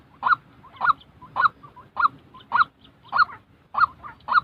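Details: A real white-breasted waterhen, used to train new decoy birds for trapping, gives eight rough, repeated notes in a steady rhythm, with quieter clucks between them.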